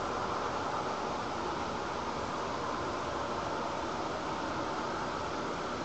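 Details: Only a constant broadband hiss, like fan or wind noise, runs unchanged throughout with no animal calls.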